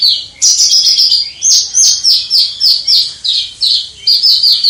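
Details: Javan bush lark with a crystal-clear voice prized by bird keepers, recorded from a distance; a steady sequence of high, slightly descending buzzy notes, each about a third of a second, repeated without pause.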